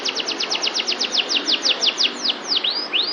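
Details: Canary song, of the kalitan style: a rapid trill of steeply falling whistled notes, about five per second, slowing near the end into longer U-shaped swoops, over steady background hiss.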